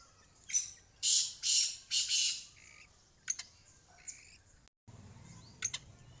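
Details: Female black francolin, locally called kala teetar, giving harsh, breathy squawks: a short note, then three longer swelling rasps in quick succession, followed by fainter clipped notes and brief high ticks after a pause.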